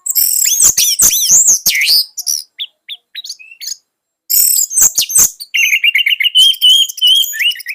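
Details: Orange-headed thrush, presented as a tutor bird for young thrushes, singing dense high chatter and whistled sweeps, then a pause, then a long trilled warble of quick repeated notes.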